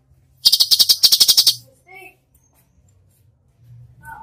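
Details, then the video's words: Cucak cungkok 'tembakan' song for training cage birds: a single one-second volley of fast, harsh, high-pitched repeated notes, then near silence with faint low background sounds. "masteran cucak cungkok gacor full tembakan"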